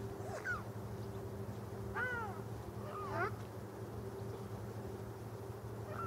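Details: A lone Ruddy Shelduck, apart from its flock, swims on the Rhine on 1 January 2014, giving four nasal, honking calls, each arching then dropping, spaced one to three seconds apart over a steady low mechanical hum.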